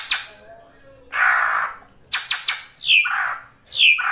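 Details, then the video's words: Ashy drongo calling with rough, crow-like grating notes, a quick series of dry clicks, then falling scratchy squawks. "SRIGUNTING KRANTIL SAERAN GUNTING GACOR"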